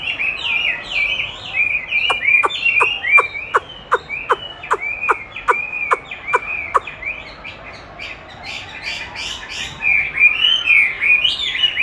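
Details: Chinese hwamei singing in response to playback of its own recorded song, used to train it and which it eagerly duels with: loud slurred whistled phrases, then a fast run of sharp clicking notes repeated in a steady rhythm, then more rich varied whistles.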